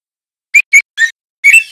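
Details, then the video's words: Young male white-rumped shama, speckled juvenile, giving four short clear whistled notes spaced apart, the last one longer and wavering, used for teaching other birds to sing. "Suara Murai Trotol Jantan GACOR"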